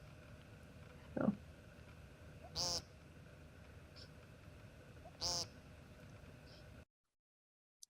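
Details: American woodcock (Scolopax minor) song: two short, nasal, buzzy notes about three seconds apart, like a dog's squeaky toy, over a steady background hiss.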